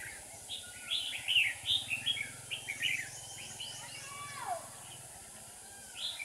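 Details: Red-whiskered bulbul song during trapping in Dong Nai, Vietnam, recorded 7 April 2019: faint, distant chirpy phrases of short rising and falling notes with one slurred descending whistle, over steady broadband background noise and a low hum.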